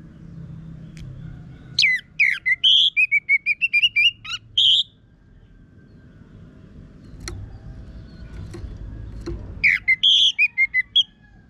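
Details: Orange-headed thrush in harsh-voiced, vigorous song, played as a lure to make other birds sing: a quick series of sharp chirps and whistled slurs, a long pause with faint low rumble, then another burst of similar notes.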